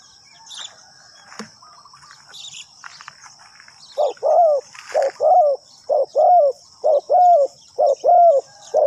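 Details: Decoy spotted dove calling wild birds: a few seconds of faint rustling and soft chirps, then a run of rich, rounded coos roughly once per second, each bending down at the end, over a steady high-pitched hum.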